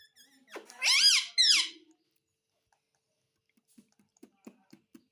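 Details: Pet parrot indoors gives a brief pair of loud, high, harmonic arched calls, then silence with faint soft ticks.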